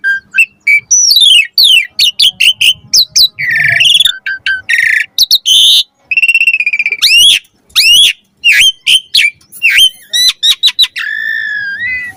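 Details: Varied song of the Asian pied starling used to train caged birds: dense mix of sweeping whistles, buzzy trills, rapid clicks and harsh notes in a busy, continuous sequence.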